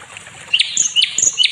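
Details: Short snatch of nightingale song used to tutor other songbirds: three crisp rising-then-falling whistled notes, evenly spaced, over a faint hiss.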